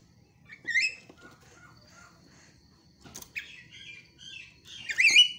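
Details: Javan myna calls used as a lure to get other mynas chattering: a jumble of harsh squawks, short buzzy notes and whistled phrases that rise and fall, ending with a loud grating burst.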